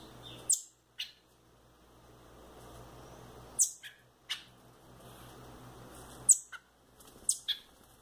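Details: Young orange-bellied thrushes (sabiá-laranjeira), a male and a female raised loose in a house, give sharp, very high chirps, often in quick pairs, every one to three seconds over a faint low hum.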